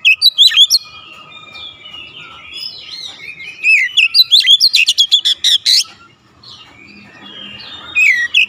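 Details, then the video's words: Oriental magpie-robin singing hard, showing off its copied notes: a long varied stream of warbled whistles, buzzy slurs and a dense crackle of rapid clicks, dropping briefly to quiet before resuming. "KICAUAN OBAT KACER SETRES CEPAT SEMBUH DAN GACOR NGOTOT BONGKAR ISIAN"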